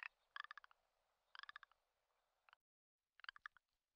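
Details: A Commander Islands rock ptarmigan (Lagopus mutus ridgwayi) in Komandorsky Reserve during the spring mating season (lek) gives dry, clicking rattles of six to eight quick pulses, three bursts about a second apart, in quiet surroundings.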